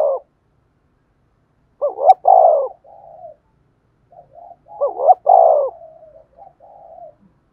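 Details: Repeated spotted dove phrase meant to excite decoy birds: two loud sequences, each a throbbing modulated note then a long rich coo, trailed by several softer short coos, in a quiet setting.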